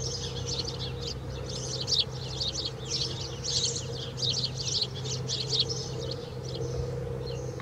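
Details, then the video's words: House sparrow singing inside a swallow's nest at Alikes, Kitros, Greece: a steady run of short, bright chirps, two or three a second, continuing throughout over a constant low mechanical hum. "Passer domesticus singing into a swallow's nest"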